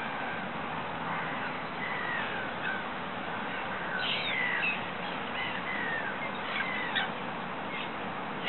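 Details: Water rail in a Regent's Park ditch giving a series of short, harsh, nasal squeals and grunts, the loudest near the middle, against continuous city background noise.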